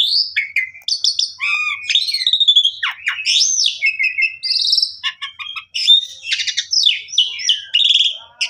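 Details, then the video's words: Continuous energetic song of an Asian pied starling, played to stimulate a bird that will not sing: jumbled whistles, swooping slides, buzzy rasps and chirps flowing without a break for over eight seconds. "Pancingan Jalak Suren Gacor Full Isian Buat Jalak Suren Pundung Tidak Mau Bunyi"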